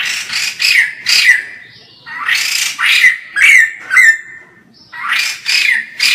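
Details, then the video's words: White-crested laughingthrush singing at full vigour, recorded at a distance: rough, broadband squawking notes with short downward whistled slurs, delivered in uneven clumps about twice per second with brief gaps between groups. "POKSAY JAMBUL GACOR FULL"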